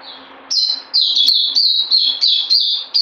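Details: Captive white-eye giving a rapid series of high, sweet twittering notes, short slurred phrases repeated several times a second against a faint steady hum.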